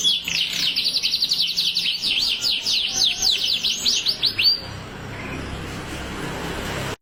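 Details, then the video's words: Canary in full, sustained song: dense rapid chirped notes with sharp up-and-down sweeps for about four and a half seconds, then stopping abruptly, leaving only soft background noise. "Kenari Rasmi gacor durasi siap gantang"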